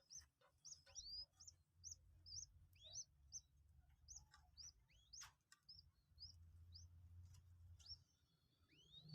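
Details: Newly hatched Common Moorhen chick, two days old and kept captive, during feeding lessons: short high chips mixed with sharply rising whistled slurs, over a steady low hum.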